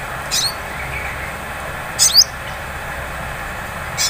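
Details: Sunbird lure in the 'ngleper' style, played to trigger 'ngriwik' singing: three widely spaced, very high, sharp chirps with downward sweeps, the middle one doubled, over a steady background hiss.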